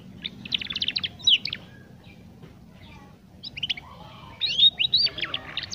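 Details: {'caption': 'Young caged canary learning to sing, played as a lure to get young canaries singing sooner: short bursts of high, bright twittering trills and chirps in three clusters, separated by quiet pauses, over a low background hum.'}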